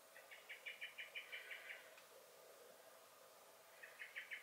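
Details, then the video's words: Common blackbird in a garden on 23 May 2021, giving alarm calls: a quick run of about ten sharp, clipped chinking notes, a short pause, then another rapid burst of the same notes, with faint background hiss. "Song and Alarm Calls of the Blackbird"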